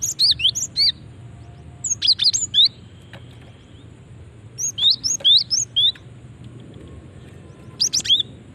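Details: Female cinereous tit calling to attract other birds: four bursts of three or four high, sharp chirps, some rising and some falling, spaced about two seconds apart over faint background noise.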